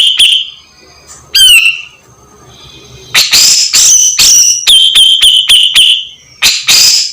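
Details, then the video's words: Grey-cheeked bulbul used as master song for training songbirds, loud and busy: sharp high whistles and clear level notes repeated in quick bursts, a downslurred trill near one and a half seconds, stretches of steady tonal whistling. "Cucak jenggot super gacor"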